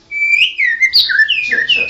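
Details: National champion white-rumped shama singing ngerol: a quick run of loud, pure whistled notes that rise, fall and step between pitches with hardly a break.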